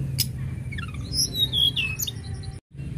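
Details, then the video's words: Mountain lark singing: sharp high chips, then a falling series of whistled notes and bright warbled phrases up high, over a steady low hum; a short silent gap near the end. "Tledekan gunung gacor mantap mantap"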